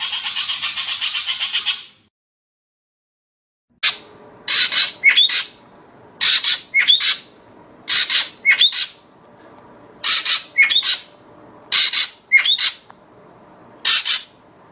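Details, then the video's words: Common green magpie calling: a long harsh buzzy burst, a pause, then paired harsh squawks with rising whistled notes, repeated about every second to two seconds. "Tiếng chim Thanh Loan/ Giẻ cùi xanh/ Common Green-Magpie/ นกสาลิกาเขียว"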